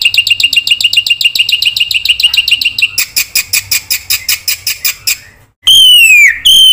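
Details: Black-winged myna singing 'gacor full isian' for luring and mastering stalled birds: a fast even trill of sharp notes, a louder pulsing series, then loud descending whistled slurs.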